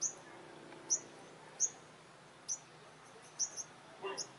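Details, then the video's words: Olive-backed sunbird facing rival dominant males at a trap: isolated high, sharp chip notes spaced about a second apart, against a quiet background. "Bây chim hút mật 5màu đối đầu với những con " Đ.ầu đ.àn ""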